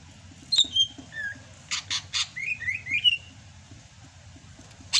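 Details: Sumatran greater green leafbird in vigorous rainy-season song. A few sharp whistled notes, three harsh buzzy rasps, then a string of short rising whistles. Quiet gap, then a final sharp note.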